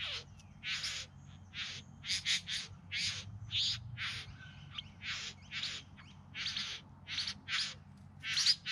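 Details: Singing during courtship display, bowerbirds near Melbourne in the Yarra Valley, September 2020: loud harsh buzzes and rattling hisses, often in quick pairs, with a few softer chattering notes between, over a quiet background.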